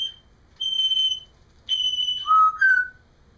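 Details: A pet parrot, heard while a caged companion plays, gives clear pure whistled notes, two long level high tones followed by two shorter lower ones.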